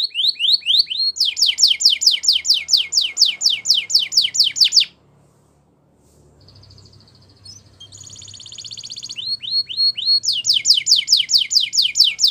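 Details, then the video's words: Belgian canary song for canary training: quick rising chirps lead into a long high rapid trill, a pause, a softer rolling tour, then another fast trill of repeated upslurred notes. "Belgian Canary Singing Makes Your Canary Sing All The Time!!"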